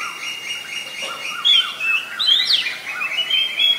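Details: Oriental magpie-robin in Ubon Ratchathani, Thailand, 7 January 2021: sharp, high, sliding whistles and quick upward flicks over a busy layer of fainter repeated chirps, possibly other birds, with steady background hiss.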